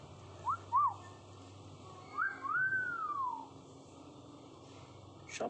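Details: Common hill myna learning to talk: two short whistled upslurs, then a longer clear whistle that rises and falls in a smooth arc, over a low steady hum.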